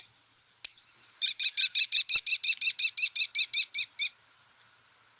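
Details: An American kestrel in flight gives a rapid, shrill run of about fourteen high, ringing 'klee' notes over three seconds, with a few faint notes before and after; the call carries up to half a mile.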